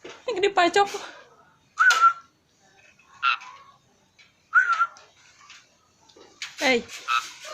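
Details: Asian pied starling song: rough grating chatter bursts alternating with short clear whistles and sharp chips, in irregular phrases with gaps of about a second.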